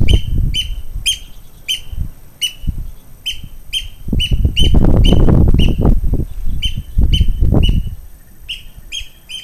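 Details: Eurasian oystercatcher displaying continually in the garden at Hotel Hellnar on 18 June 2009, giving loud, shrill piping notes, about two a second in a steady run, over heavy low wind rumble.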